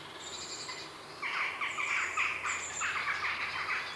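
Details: Afternoon heronry with grey herons calling close by: a steady run of rapid, rasping, chattering notes lasting several seconds, over high whistled notes of jackdaws and a blue tit in the background.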